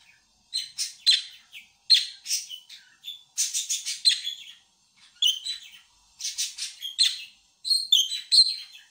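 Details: Pet budgerigars kept at home; bursts of high chirps, warbled twitters and short squeaky notes in quick clusters, pausing between phrases, no other sounds.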